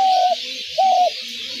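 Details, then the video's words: Spotted dove cooing, a sound used to lure doves into traps: two clear, even hooting coos, each about a third of a second long and nearly flat in pitch, separated by a short pause, over a constant background hiss. "ঘুঘু পাখির ডাক/Dove bird calls/gugu pakir dak/ dove trap sounds/পাখির ডাক"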